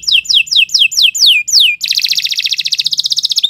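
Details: Singing canary in a long training song: six loud down-slurred whistled sweeps at a steady pace, then a very fast rolling trill of dense high notes that drops slightly in pitch toward the end.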